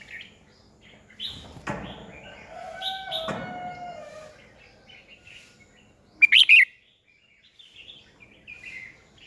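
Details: Red-whiskered bulbul decoy singing to rouse and train other bulbuls; a few mellow warbled phrases, then a brief very loud, harsh chattering burst, followed by softer lilting notes.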